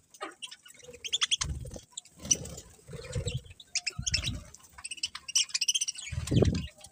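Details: Pet budgerigars give a steady stream of sharp, buzzy chirps and short warbled notes, broken by repeated dull low thuds that sound like movement in a cage.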